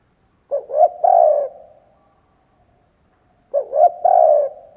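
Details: Decoy spotted dove giving its lure coo, two quick upward notes followed by a drawn-out lower coo, repeated twice about three seconds apart in otherwise quiet surroundings.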